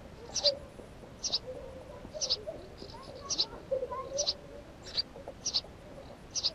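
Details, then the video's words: House sparrow calling with crisp high chirps at about one per second, with faint softer twittering notes lower down between them. "Воробей домовый"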